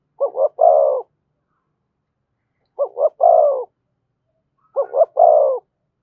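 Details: Spotted dove coo song in thổ voice, thúc and kèm styles: three phrases of two short pulsed notes and a longer sliding coo, separated by long silent gaps.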